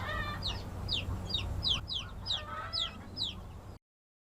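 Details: Young chicks of laying-hen stock, newly placed in a homemade coop built from free wooden pallets. They give high, downward-slurred peeps about four per second, with a steady low hum underneath.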